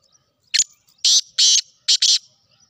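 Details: Sindhi black francolin (kala tetar) giving a loud, harsh, grating call: one short rasping note, then two longer scratchy notes, then a quick clipped pair, all within about two seconds against a quiet background.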